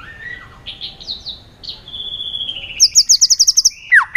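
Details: Excited white-rumped shama in competitive, many-voiced 'string voice' song: varied slurred whistles and a steady held note, then a rapid high trill of about nine bright notes, ending with a loud descending whistle.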